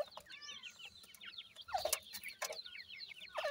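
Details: Several grey francolin chicks peep in high, falling notes, calls crowding over each other, interrupted by short rough bursts of noise.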